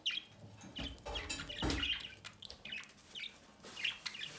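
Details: Budgerigars feeding their chick at the nest entrance, heard as quick, thin chirps and scratchy chatter mixed with dull thumps and rustling, like movement against the nest box.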